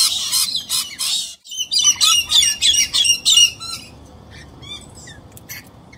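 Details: Galahs competing with rainbow lorikeets over a nesting tree hollow: harsh, screechy parrot calls in rapid bursts, about three a second, with higher chirps, stopping after four seconds, leaving scattered notes.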